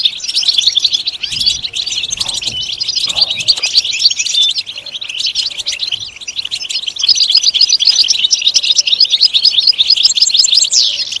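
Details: Extended European goldfinch song for stimulation: a dense, high, rapid twitter with brief quieter dips, tinkling trills, and a downward slur near the end, over faint low knocking sounds.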